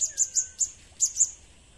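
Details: Blue-crowned hanging parrot calls used as a lure: a rapid series of very high, thin, sharp chirps in two short bursts of three, the second burst after a brief pause, over a quiet background.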